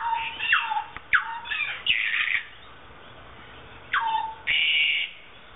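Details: Harsh rasping screeches and downward-sweeping calls from a South Island kaka, a New Zealand parrot of a breeding pair in a public aviary at Dunedin Botanic Gardens, Dunedin, while swinging on a chain; loud bursts, then a short gap and a long grating note.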